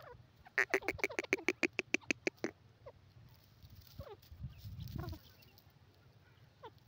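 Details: Grey francolin, a wild ground bird, giving a fast run of about a dozen loud, harsh, ringing notes within two seconds, then a few faint scattered notes over a low rumbling background.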